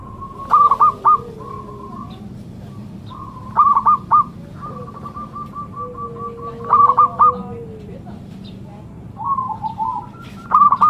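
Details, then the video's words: Zebra dove cooing: trilled bursts of notes alternating with longer, flatter beaded runs, repeated about every three seconds, with a faint lower sliding call underneath. "Burung sakral Perkutut"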